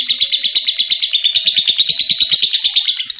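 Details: Lively lovebird pouring out a shrill, beaded chatter of quick pulses, the ngekek call, with faint low knocks in the background.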